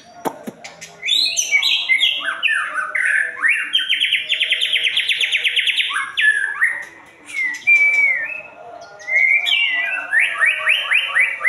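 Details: White-rumped shama song opening with clicks, then descending whistles, a long fast rattling trill, a pure rising whistle and rapid repeated upward-swept notes.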